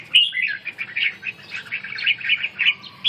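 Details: Captive red-whiskered bulbul in training for the ché song style and recovering stamina: a quick run of bright, warbled notes, each about a third of a second apart, rising and falling across three seconds.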